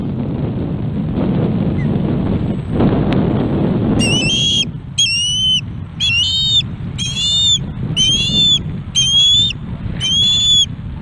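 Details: Osprey chick begging for fish at a Montana nest in August 2017: after a stretch of low rumble, a steady series of short, sharp, high whistles, roughly one every three-quarters of a second.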